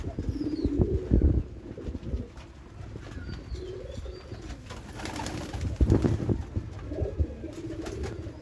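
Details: White pigeons in a loft, one of three kept there, giving soft low coos in short bursts, partly covered by heavy low thumping and rustling noises from movement.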